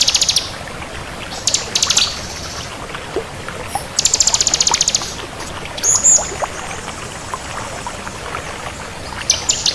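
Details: Bar-winged prinia, crystal (kristal) variety, giving short buzzy high trills and scattered sharp chips, separated by longer pauses filled with soft hiss.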